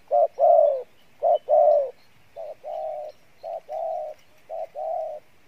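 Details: Spotted dove with a good voice repeating Pha Bài Lối cooing. Steady pairs of notes, a short coo then a longer hollow one, about once a second, growing slightly softer toward the end.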